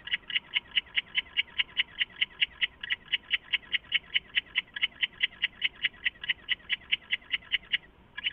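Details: At night in an owl nest box, August 2014, an owl calls after flying in: a long run of rapid, evenly repeated high notes, close to five per second, with a short break near the start and at the end.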